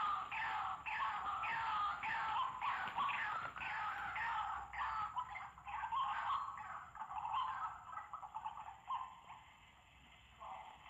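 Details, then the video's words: Harsh, strident calls of a White-breasted waterhen, a steady series of grating, downslurred notes repeated about three times a second, fading and thinning out toward the end of the sequence. "Ganas burung ruak ruak nya"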